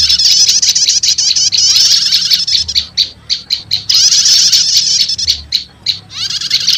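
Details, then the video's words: Prenjak lumut mixed with prenjak setater as a lure for wild prinias: a long rush of high, rapid twittering, a few spaced loud chips, then another stretch of dense chatter and more chips. "Suara Pikat Burung PRENJAK LUMUT Kombinasi Prenjak Setater"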